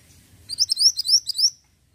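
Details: Ashy tailorbird used as a lure song to stir other birds into singing: a rapid burst of about seven high, bright, upward-sweeping whistled notes packed into one second, then silence.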